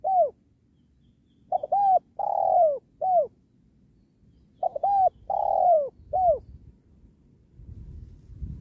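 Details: Spotted dove calling during the trapping of wild doves beside a sacred tree: two matching phrases, each a short note, a double note, a long sliding coo and a clipped final note, with low rustling near the end.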